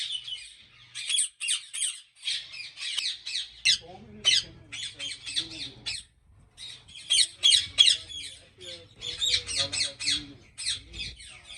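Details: Ringneck parakeets at a large breeding farm in Pakistan give harsh, high screeching squawks in quick, uneven bursts, several birds calling over one another, with a man's voice talking underneath partway through.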